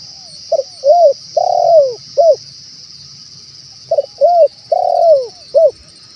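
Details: Male spotted dove calling, recorded as a lure for wild doves: two matching mellow cooing phrases, each a short note, a rising-falling coo, a long drawn coo and a clipped final note, separated by a pause, with a steady high hiss.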